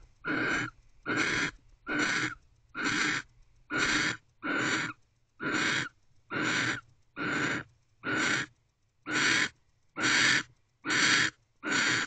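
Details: Nighttime barn owl at an owl box entrance, 3:02 am, 31 December 2023, focused on guarding the door instead of mating; a long run of fourteen breathy, noisy screeches repeated at a regular beat of just under one per second.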